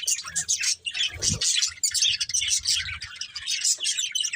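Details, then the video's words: Pet budgies chirping together in a continuous high twittering chorus of rapid warbled notes, broken by one brief low bump. "Cute Budgies Chirping Sounds"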